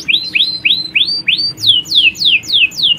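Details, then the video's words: Canary colony, females calling to males and a male in full song, used to stimulate breeding condition: rapid series of rising then falling sweeping whistles, about three per second, shifting mid-phrase from upward to downward slurs. "Kicauan Kenari Koloni Jantan&Betina!"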